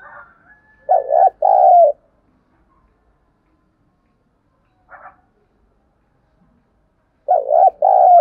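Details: Decoy spotted dove calling vigorously to provoke wild birds: a low hooting coo phrase, choppy double note then a drawn-out purr, repeated after a long pause of about six seconds, with one faint brief note between.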